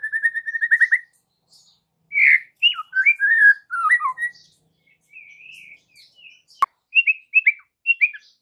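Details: White-rumped shama song played in the afternoon to draw answers from juvenile and young birds: opens with a fast repeated trill of short notes, then varied slurred whistles, a single sharp click, and more clipped whistled phrases.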